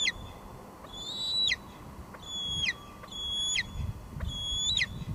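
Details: Live nest cam at Two Harbors, 24 July 2022: a female bald eagle going back and forth between nest and perch calls out with four thin, high squees, each sliding down at its close, spaced irregularly over about five seconds.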